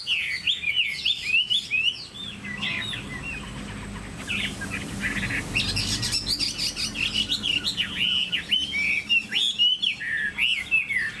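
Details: A tame caged Chinese hwamei sings loud, varied whistled phrases, rapid slurred notes rising and falling, with a short pause near four seconds before the melodic run resumes and continues steadily to the end.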